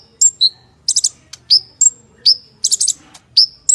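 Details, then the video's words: Purple-throated sunbird (kolibri ninja) in lively gacor full-isian style with rough shooting phrases: high thin whistles sharply rising then falling, mixed with quick buzzy stuttered bursts, irregularly spaced. "KONIN GACOR FULL ISIAN MATERI MEWAH - TEMBAKAN KASAR"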